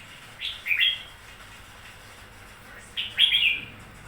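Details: A newly bought red-whiskered bulbul gives two short, bright, slurred warbling phrases, the second coming about two and a half seconds after the first, over a quiet background.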